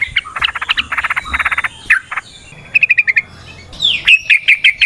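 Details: Chatty yellow-vented bulbul singing a lure recording meant to provoke other bulbuls into answering; dense clusters of buzzy chattering notes, then a short pause, then sharp rising chirps in a quick series.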